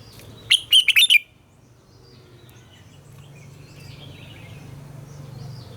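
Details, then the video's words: Red-whiskered bulbul morning song for training captive birds, a single quick burst of four or five loud warbled notes followed by faint distant chirps and a steady low hum. "Luyện giọng cho chào mào hót sáng - ép chào mào hót âm kép già rừng hay tuyệt!"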